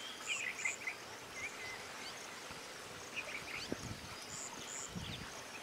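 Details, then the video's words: Red-rumped swallow (Cecropis daurica) giving short, high chirping notes in scattered bursts over steady background hiss, with a few low thumps of wind or handling. "Red-rumped Swallow"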